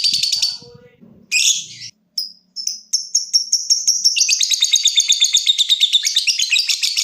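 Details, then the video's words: Lovebird ticking then trilling: harsh bursts and spaced sharp ticks quicken into a fast rolling buzzy trill, a song played to draw other lovebirds into trilling; faint low noise early on. "Suara Burung LOVEBIRD dimulai NGETIK lanjut NGEKEK"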